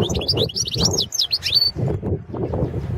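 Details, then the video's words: European goldfinch, subspecies balcanica, singing for a 2017 world goldfinch song competition: a fast, jangling sequence of twittered and slurred high notes for under two seconds, ending in a drawn-out note, with low murmuring noise beneath. "World championship in Goldfinch Song 2017"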